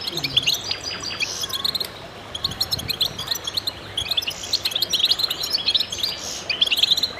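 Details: Chorus of goldfinches in concert: bursts of rapid, sparkling twitters with a brief lull between them, then the dense chatter returns louder.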